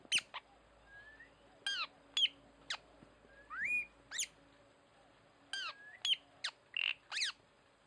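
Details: Tanau calling for use as a lure: scattered sharp down-swept notes and soft rising whistles, with a faint steady hum and low rumble underneath.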